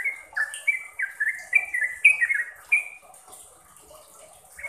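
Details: Sooty-headed bulbul (trucuk) training song: a burst of quick whistled notes, some slurred down and some level, for about three seconds, then fading to near quiet before one final note.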